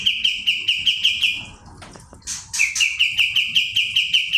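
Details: Kapas tembak (Pied Triller) in 'nembak' shooting song: two long rows of crisp, metallic notes repeated about six times a second, split by a brief scratchy break with clicks.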